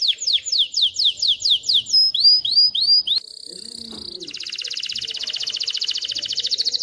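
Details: Male canary singing to teach chicks to sing and ready females for mating: rapid series of steep descending whistled sweeps, then curved upslurred notes, ending in a fast, dense, high buzzing trill.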